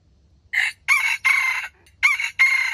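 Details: Harsh, strident crow of a bait junglefowl used to trap wild chickens: five loud raspy syllables, the second and third long, a short pause, then two more.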